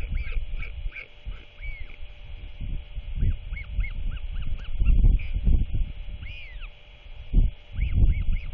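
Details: Chatty royal albatross chick at dusk as its father comes to feed it, 27 March 2024: a string of short arched whistled notes, a few stronger ones, beneath constant roaring wind.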